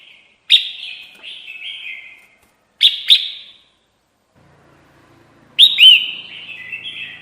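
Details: Red-whiskered bulbul calls played as a lure for trapping: three bursts of sharp chirps, each followed by a rolling, slightly buzzy warble that fades out, separated by brief silences.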